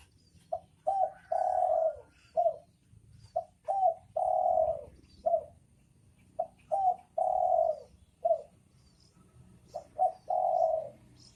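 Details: Male and female spotted doves giving repeated cooing phrases: each has one or two short soft notes and then a drawn-out mellow coo, about four phrases in steady succession over quiet background.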